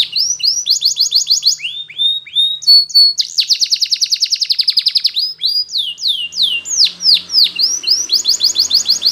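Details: Spanish Timbrado canary, yellow, delivering a training song of fast repeated chirps, a steady rapid rattle-like trill, then sharp falling whistled sweeps and another quick trill, all high-pitched and continuous.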